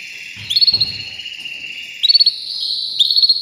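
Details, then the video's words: Canary holding a sustained high buzzy roll, punctuated by three fast rattling trills of evenly pulsed notes, with a faint low thump early on. "Making Your Canary Sing with Joy"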